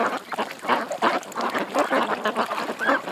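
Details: Several ducks at a creek quacking loudly in quick rough bursts, the calls crowding together with one longer rising note near the end.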